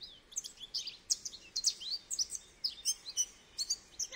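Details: Continuous high twittering from a goldfinch, tinkling notes and slurred chirps following one another quickly.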